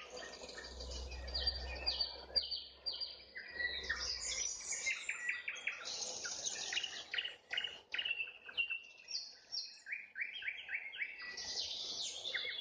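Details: A nightingale at sunset sings varied phrases: twittering runs, staccato clicks and repeated downslurred notes, with a low rumble during the first seconds and quiet gaps between phrases.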